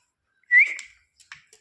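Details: A talkative household parrot gives a short upward-sliding whistle that fades into a brief breathy tail. A few faint clicks follow in an otherwise quiet room, near a woman talking in Hindi.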